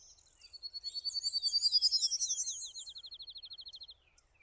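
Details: A Prairie Warbler singing on branches gives a high, buzzy series of quick notes that climbs in pitch over about two seconds, then a fast, level trill.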